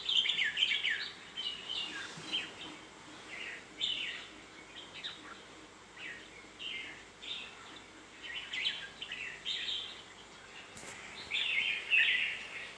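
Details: Red-whiskered bulbul repeating short, chirpy whistled phrases every couple of seconds, somewhat distant, against constant background noise.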